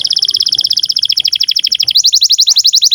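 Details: Canary song meant to teach young canaries and prompt quiet ones: a very fast, even, bell-like pulsed trill, about twelve notes per second, switching to a slightly slower and higher rolling trill.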